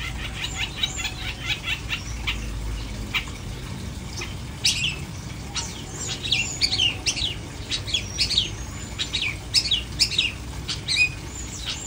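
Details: Long-tailed shrike singing with no cage cover, no flipping: soft rapid chirping at first, then a louder dense burst of harsh notes, whistled slurs and sharp chips continuing steadily, low hum underneath.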